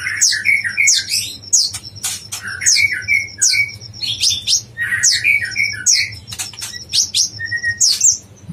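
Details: Yellow-vented bulbul on a songbird training recording: quick bursts of bubbly, gurgling notes that slur up and down, repeated through the clip, with thin high chirps and sharp clicks layered over them.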